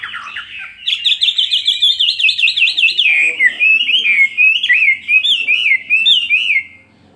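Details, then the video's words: Chinese hwamei, a caged bird two years old, singing a fighting song: a long, loud, rapid wavering trill of whistled notes that runs on for several seconds, then loops into rising and falling slurred phrases. "Họa mi hót xòe hót đấu"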